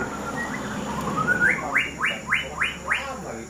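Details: White-rumped shama, called a fighter: a series of about six loud upslurred whistled notes rising sharply, repeated roughly every half second after a softer rising phrase, over a steady background hum.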